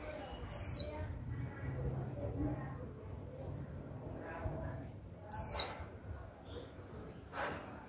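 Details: Young female white-eye kept in a cage, calling 'chíu' to prompt male song. Two high, falling whistled notes about five seconds apart amid low murmuring background noise and a faint click.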